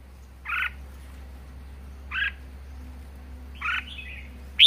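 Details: Captive Red-whiskered bulbul giving three short, separate whistled notes spaced about one and a half seconds apart, the last followed by a quick thin trill, against a low steady hum.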